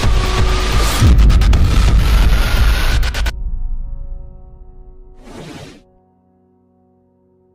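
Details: Loud music with booming bass and a whooshing burst, then sustained electronic tones and a short noisy swish before fading to silence, with no animal voices.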